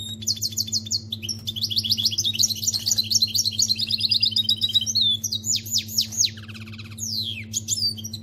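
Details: Canary singing goldfinch-style song, a fast high run of repeated bright trills and chirps, then sweeping whistled notes, over a steady low electrical hum.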